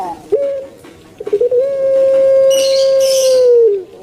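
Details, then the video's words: Puter pelung, a kept turtle dove from Java, Indonesia: a short note, a stuttering burst of notes, then one long, steady, pure cooing tone held for over two seconds before falling away, with a brief rustle. "𝙋𝙐𝙏𝙀𝙍 𝙋𝙀𝙇𝙐𝙉𝙂 𝙎𝙐𝘼𝙍𝘼 𝘼𝙎𝙇𝙞 𝙋𝘼𝙉𝙅𝘼𝙉𝙂 𝙆𝙒𝙊𝙆 𝙏𝙀𝘽𝘼𝙇"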